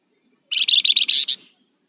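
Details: Rufous-fronted laughingthrush, used as a lure and master bird for training, giving a short harsh, buzzy rattling burst of about one second made of rapid pulsed notes, against a quiet background.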